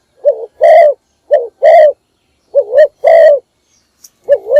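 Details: Morning lure call from a decoy spotted dove: repeated low phrases of a quick undulating coo then a longer rough coo, about three phrases with short gaps and a new one starting at the end; loud, no background.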